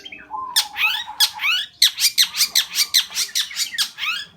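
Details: Long-tailed shrike in lively, chatty song: a short rising whistle, then a long run of loud, harsh, buzzy notes about four per second, each sweeping downward, with a steady low tone beneath.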